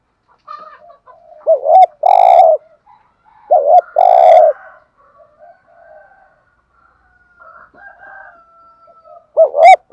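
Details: Spotted dove used as a decoy to attract wild doves, repeating its cooing phrase three times. Each phrase is a short dipping note followed by a loud hoarse coo. Quiet murmured notes fill the gaps between phrases.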